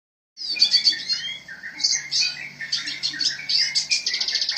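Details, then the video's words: Red siskin singing in a lively, continuous stream: rapid twittering, buzzy trills and high chattering notes, with short sweeping whistles running through it and a faint low hum underneath. "BURUNG RED SISKIN GACOR"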